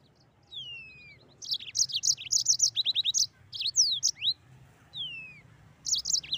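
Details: Mozambique canary singing energetically: a long descending whistle, then several rapid bursts of high, chirpy trilled notes, and another gliding whistle before more chirps.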